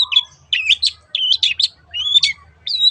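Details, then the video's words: Long-tailed shrike, cendet, 'teot teot' song played as a lure so other birds join in: five warbling, wavering whistled phrases, each under half a second, separated by brief pauses. "SUARA BURUNG CENDET TEOT TEOT pancingan AGAR BURUNG MANAPUN IKUT GACOR"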